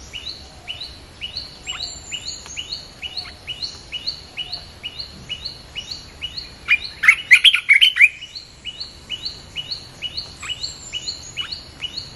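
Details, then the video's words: Red-whiskered bulbul, played to attract wild birds, giving long runs of crisp upswept chirps, two to three per second. A louder jumble of chattering notes breaks in midway before the regular chirping resumes. "เสียงนกกรงตาแดงEp.252 เปิดล่อนกป่า"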